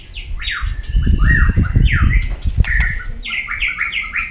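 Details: White-rumped shama singing in a contest: rising and falling whistled slurs, a sharp click, then a quick series of repeated swept notes, with low background rumble throughout.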